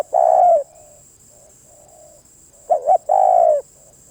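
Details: Spotted dove: a long coo opens, then soft distant cooing, then a full phrase of double coo and sustained coo. A steady high-pitched whine continues throughout.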